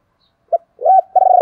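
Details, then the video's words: Decoy spotted dove calling with a clipped first note, an arched coo, then a sustained steady coo that runs on, with a faint overtone above. "Tiếng chim cu gáy mồi gáy gọi"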